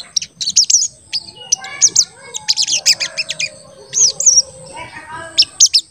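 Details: Crested jay in full song, giving rapid high 'cuit cuit' chirps used to lure and excite other birds. The notes come in irregular clusters throughout, with softer lower warbling underneath and a constant high-pitched tone.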